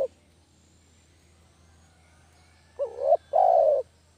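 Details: Spotted dove (derkuku kampung) call used as a lure for catching doves: after a near-silent stretch, one low two-part coo arrives, a short rising note then a longer steady purring note, over a faint low hum.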